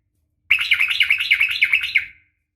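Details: One continuous phrase from a female yellow-vented bulbul calling a male: lively warbling chatter of quick rising and falling notes, about one and a half seconds long, then silence.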